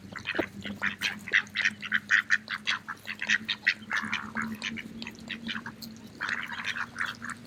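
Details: Several mallard ducks feeding in a park on an autumn day chatter in quick, nasal quacks and short raspy notes, overlapping almost continuously, over a steady low hum.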